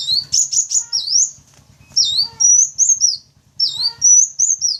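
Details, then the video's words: Lure call to bring in wild sunbirds (wulung, kaca, jentit): clusters of shrill, piercing chirps and upward-sweeping whistles, each group split by short pauses, over a faint low hum. "Suara Pancingan Atau Pikat Burung Kolibri Wulung, Kaca, Jentit Langsung Respon"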